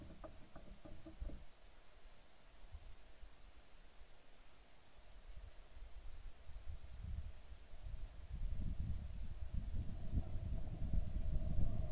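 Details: Low wind-like rumble and a faint steady hum with a few soft knocks, growing louder toward the end; no animal calls stand out.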